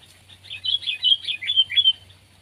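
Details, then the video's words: Sooty-headed bulbul (kutilang), pet or wild: a brief clear phrase of about six liquid, slurred whistled notes in quick succession. "Burung Kutilang Peliharaan VS Burung Kutilang Liar!"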